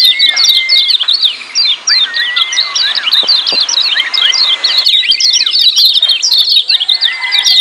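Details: Lemon-bellied white-eyes giving noisy ciak calls, recorded to rouse silent birds into calling. Long runs of rapid, overlapping chirps carry on throughout, with level whistled notes recurring at intervals.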